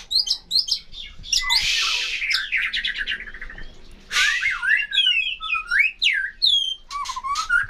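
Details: Songbird singing a varied, busy phrase of chirps, rasping bursts and sweeping upslurred and downslurred whistles.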